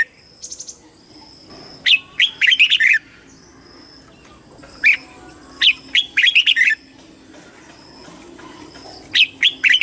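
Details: Red-whiskered bulbul in competitive singing for flock calling and voice training. Three lively phrases of chirped and warbled notes come roughly every three and a half seconds, with a thin steady tone in the background.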